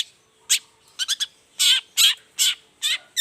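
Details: Long-tailed shrike singing vigorously in the morning, a lure song meant to make silent shrikes answer. Harsh, buzzy chattering bursts at uneven intervals, about eight notes in three seconds, with a faint steady low hum behind.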